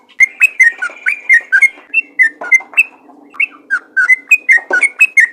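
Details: Yellow-vented bulbul in full song, used to coax other bulbuls into singing; clear whistled notes, some sharply rising or falling, delivered in quick uneven bursts about once per second or faster.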